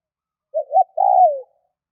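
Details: Spotted dove giving a mellow call: a pair of brief, low coos leads into one drawn-out, falling coo. There are no other sounds around it.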